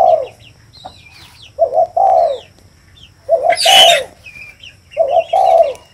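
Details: Spotted dove repeating mellow falling coos in two-part phrases, background bird chirps, and a brief loud rustling burst in the middle.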